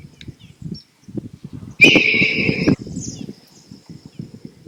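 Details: Two Red-tailed Hawks perched in a tree beside the water, seen while kayaking past herons, egrets, pelicans and kingfishers; one gives a single hoarse, rasping scream, a scree lasting about a second, with low murmuring and paddle splashing underneath. Red-tailed Hawk.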